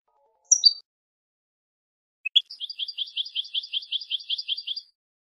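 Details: European goldfinch (jilguero) song from a tutor recording for teaching young birds: a few high sharp notes, a pause, then a fast, even, rolling trill of paired notes repeated for about two and a half seconds.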